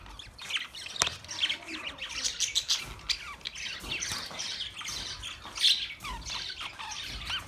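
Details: Budgerigar chatter: many quick high chirps, squeaky warbles and short rising notes overlap steadily, punctuated by an abrupt click or tap near the start.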